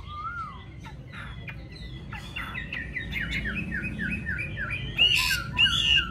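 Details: Yellow-billed Chinese hwamei in a cage at home sings a string of short rising whistled notes, then louder sharp bursts near the end, with low household rumble beneath.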